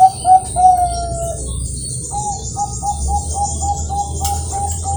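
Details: {'caption': 'Captive Bangkok-type zebra dove from a breeding farm in Kroya, Cilacap, Central Java, cooing in competition-quality style with front, middle and end parts: one long drawn note, then a run of short mellow coos, over a steady high hiss and low rumble.'}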